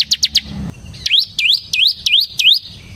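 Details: Bar-winged prinia, ciblek semi, singing as a lure and tutor song for ciblek: three quick high chips followed by five dipping-then-rising whistled notes, each about a third of a second apart.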